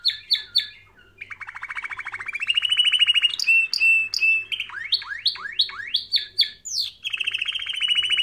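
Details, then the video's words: Canary singing for training: sharp chirps, then a rolling trill that swells in volume, then a run of repeated swooping notes that drop and rise, ending in a steady high warble. "Canary Singing Video | The Best Canary Training sound"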